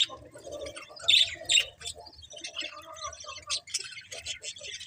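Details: Budgies give a couple of loud, sharp squeaks amid softer continuous scratchy warbling and twittering chatter.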